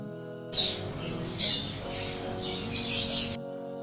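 A parrot gives harsh, high squawks and screeches in several bursts over about three seconds, with steady background music underneath.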